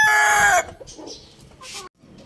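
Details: Rooster crowing loudly, heard as the final half second of a harsh, harmonic crow that cuts off abruptly, followed by faint scattered background noises and a moment of near silence.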